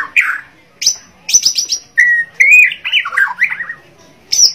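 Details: White-rumped shama of the Borneo form, a vocal bird in full song: rich, varied phrases mixing low fluty whistles, sharp high chips and a rapid trilled series, with brief pauses between bursts and clean quiet background.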